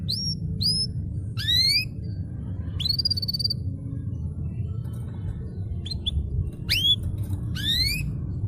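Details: Canary voice from a master recording to get quiet canaries singing: short high whistles, rising sweeps and a longer slurred note, spaced with pauses, above a constant low hum.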